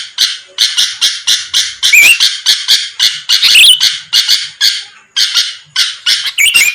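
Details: Sooty-headed bulbul voice played to get rivals responding: steady rasping bursts about three per second, with thin, wavy whistled notes rising and falling at several points, and one short gap near the end.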